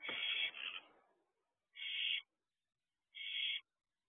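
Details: Barn owl owlet in a nest box at about 4 a.m., dated 6/1/23, during a wing display. Three harsh, hissing screeches: a long first burst that fades into a rasp, then two shorter bursts about 1.4 seconds apart in a quiet box.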